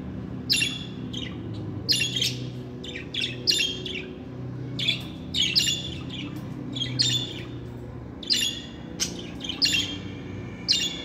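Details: Rapid budgerigar chatter from pet birds, with rasping chirps and squawks, roughly forty-five bursts a minute at an irregular pace, over a soft low drone.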